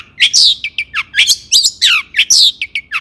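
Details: Agitated long-tailed shrike song used to provoke rival shrikes: rapid series of harsh, scratchy downslurred notes mixed with short sharp clicks, tightly packed and loud.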